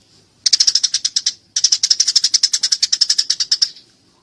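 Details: Eurasian tree sparrow fighting: two bursts of rapid, sharp, high chirps, about ten per second, the first lasting about one second and the second about two seconds, separated by a short pause. Clean recording with no other sounds.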